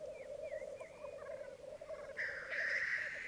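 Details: Black grouse lekking on a Mykland bog, May 2022 morning, with twelve cocks and two hens: soft bubbling chorus and short whistled slurred notes, ending in a long harsh hiss.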